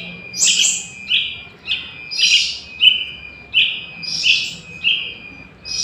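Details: Young Yellow-vented Bulbul, recording used as a lure for catching wild birds; harsh, scratchy chirps come roughly every second, each a short burst with a rasping upper edge, against quiet background hiss.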